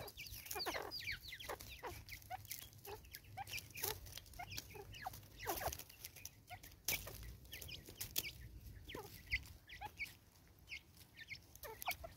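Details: Angry female Natal spurfowl in South Africa, 2024, giving a long run of harsh, raucous cackling notes, dense and overlapping, with short pauses throughout.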